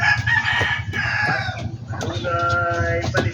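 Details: Backyard chickens: a rooster's harmonic crow rises and holds, mixed with short clucks from hens, over a steady low rumble.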